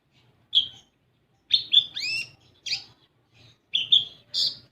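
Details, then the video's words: Sparse olive-backed sunbird song used as a lure for young birds: scattered high chirps, a pair of falling whistled sweeps and a buzzy note, spaced irregularly by short gaps. "Pancingan Kolibri Ninja Bahan Agar Bunyi"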